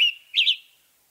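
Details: Western tanager from western North America: a clipped note is followed by one burry, two-part slurred phrase that fades quickly into silence.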